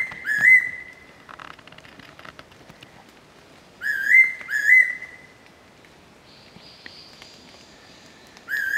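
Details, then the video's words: Fairy pitta, arrived for its breeding season, giving clear, slurred double whistles repeated every few seconds, with a faint high twittering from another bird in between. "ヤイロチョウ（Fairy Pitta）が鳴く"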